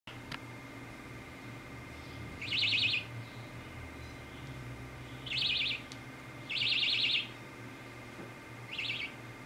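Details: Baby budgie having its head scratched, giving four short, buzzy, scratchy chirps spaced a few seconds apart, over a steady faint electrical hum.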